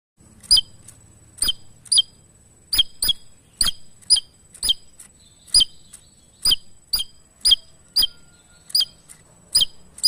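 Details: Javan tesia song used as a master recording for training other songbirds: short, very high sharp notes with stacked harmonics, given in quick pairs or singly roughly every half to one second, with a faint steady high tone behind.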